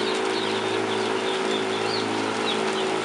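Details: Domestic turkey poults, ten days old, grouped together in a cardboard pen inside a barn: rapid overlapping high-pitched peeps, several per second, partly buried in the constant droning of barn ventilation fans.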